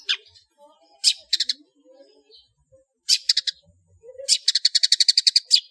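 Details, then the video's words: Long-tailed shrike giving its loud 'ngeplong' master song with plenty of fill-ins for teaching cage birds. Short harsh rattles come in separate bursts, ending with a rapid, evenly pulsed buzzy trill. "SUARA BURUNG CENDET NGEPLONG FULL ISIAN UNTUK DIJADIKAN MASTERAN ANDALAN"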